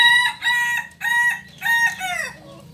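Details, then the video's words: Native Kukuak Balenggek rooster of Solok, West Sumatra, crowing in four stepped, harmonic segments, each held briefly with short breaks between, the final note sliding downward, loud and clear over a low background hum. "Ayam kukuak balenggek ayam asli solok sumbar"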